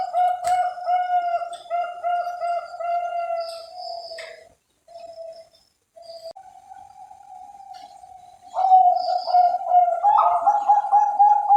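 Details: Captive Bangkok-type zebra doves from breeders' farms in Cilacap, Central Java, Indonesia, kept for cooing; low, harmonic coos in short repeated notes, a brief quiet gap midway, then longer sustained, louder cooing.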